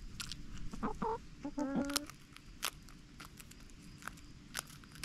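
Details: Backyard chickens giving a few clucks, a short rising note then a drawn-out nasal cluck, followed by quiet stretches with scattered clicks.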